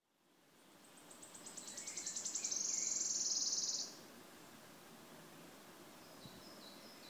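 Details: Wood warbler singing on 5 June 2016 at PP Březinka, Náchod-Běloves, Czech Republic: high ticking notes accelerate into a dry, shivering trill that ends abruptly; faint other birdsong afterwards.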